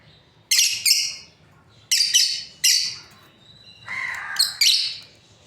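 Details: Breeding pair of lovebirds calling with paired sharp shrieks, a double chirp, then two more, followed by a lower buzzy note and another shrill double call.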